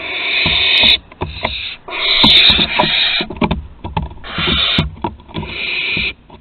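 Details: Recorded 21 September 2020 at Théding, where young barn owls are mastering flight: repeated breathy, hissing screeches lasting around a second each, interspersed with sharp clicks and knocking sounds.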